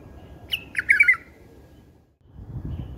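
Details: . A bulbul song in a style that bulbul keepers love. One short, bubbly, warbling phrase is followed by quiet low background rumble.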